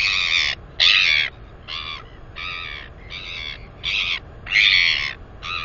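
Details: At her nest area, a 218-day-old female northern royal albatross chick lets out a series of eight loud squeals while exercising her wings, each short, harmonic and slightly wavering, some louder than others.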